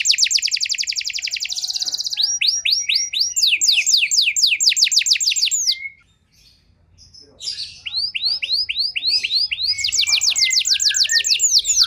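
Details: Canary song played as a lure to prompt out-of-condition canaries to sing: fast high trills of repeated sweeping notes, roughly four per second, broken by a short pause before trilling resumes.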